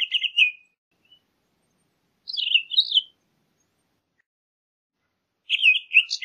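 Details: Townsend's solitaire producing three brief, jumbled phrases of high warbling notes, the middle one rising and dipping, with quiet gaps between.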